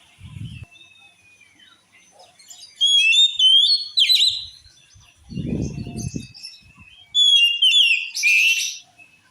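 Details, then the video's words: Oriental magpie-robin song claimed to make other males attack: quiet whistles building to loud sliding phrases, a harsh buzzy note near the end, with low thudding noises in between. "Suara Kacer Ini Mampu Bikin Kacer Lain Auto Ngamuk"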